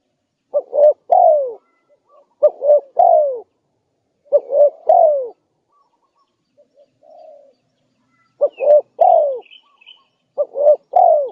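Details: Spotted dove lure recording of a persistently calling bird, used to attract wild doves: low hollow coo phrases of two short notes and a longer falling note, repeated roughly every two seconds, with faint high chirps from other birds.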